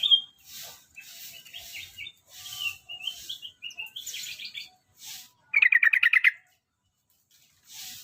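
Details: Yellow-vented bulbul from Java, a hopeful future champion singer, gives soft high chirps and twitters, then one loud, fast, rattling burst of repeated bubbly notes lasting nearly a second.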